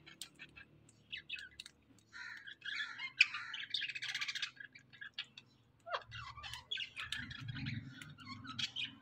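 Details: Indian ringneck parakeet, kept as a pet and known for talking, gives bursts of squeaky, chattering notes and short harsh squawks, pausing briefly between bursts, with a low hum underneath.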